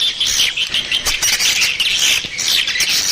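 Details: Brief stretch of swiftlet calling used as a lure: busy, high-pitched twittering and scratchy chirps that come in waves.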